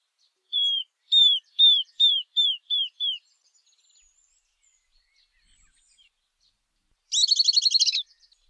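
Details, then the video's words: Southern beardless tyrannulet, a common Brazilian flycatcher, giving a series of seven clear, slightly downslurred whistled notes about two per second, then after a pause a fast buzzy chattering trill lasting about a second. "Risadinha - Pássaro - Canto"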